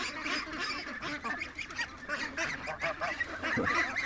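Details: Young domestic geese in a pen, a Chinese goose among them, giving short nasal honks and squawks in irregular bursts, with quacking ducks mixed in among the flock.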